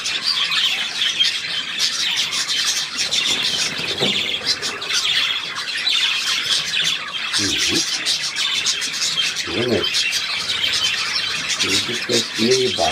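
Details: Budgerigars keep up a constant shrill twittering and squeaky chirping. Low human voices speak briefly several times in the background.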